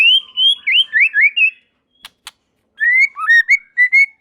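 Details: White-rumped shama (murai batu) singing wavering whistled phrases that rise and fall, a short pause with two clicks, then more sliding whistles; other shamas join in.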